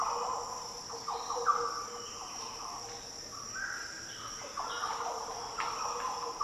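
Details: Green Orioles calling in the Daintree rainforest, Australia: deep, liquid, fluty phrases of falling and rising notes, with a steady high insect drone behind.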